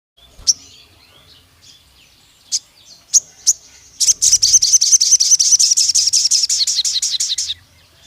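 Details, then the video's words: Pied fantail (sogon) in a long 'nembak panjang' burst used as a lure to rouse other fantails: a few sharp isolated chips, then about three and a half seconds of rapid, high, squeaky repeated notes that slowly fade. "PANCINGAN SUARA BURUNG SOGON NEMBAK PANJANG"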